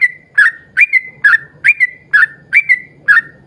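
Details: A yellow-vented bulbul sings energetically in the 'ropel panjang' manner as a lure for other bulbuls: quick paired whistles, an upward flick then a level or falling note, repeated about every 0.4 seconds.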